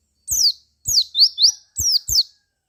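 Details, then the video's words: White-eye singing to provoke other white-eyes: five closely spaced, very high chirps, some sliding downward and some sweeping upward, in under three seconds. "Suara Pleci Ini Menggoda Pleci Lain Menjadi Lebih Gacor"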